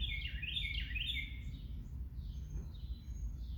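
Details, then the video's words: Bird song: a quick run of bright, sliding chirps and short warbled notes in the first second and a half, then fainter high twitters, over a steady low rumble of background noise. "Sounds of Birds 2, 새소리"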